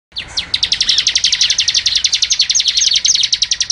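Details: Bar-winged Prinia in fast 'ngebren' style song, a dense machine-gun rattle of sharp high notes repeated nearly four times per second, steady for over three seconds.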